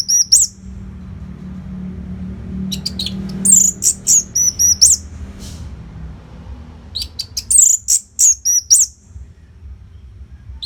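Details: Orange-headed thrush (anis merah) singing a continuous masteran training song for competition birds: bursts of high, sharp whistled and chattering notes in groups, with short pauses between phrases over a low background hum.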